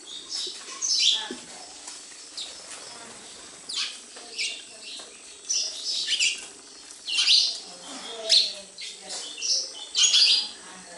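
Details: Sparrows at a house chirping in short separate bursts every second or two, high and sharp, with quieter gaps between and faint background voices.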